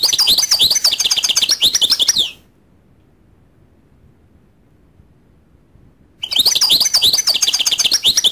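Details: Lively twittering song from a goldfinch, with rapid high chirps and trills in two bursts separated by about four seconds of silence.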